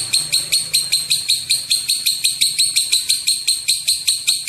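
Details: Lovebird giving a long 'ngekek' chatter, meant as a lure to set other lovebirds calling; harsh, buzzy, high-pitched notes repeated about two and a half times per second in an unbroken run, with faint low background hum.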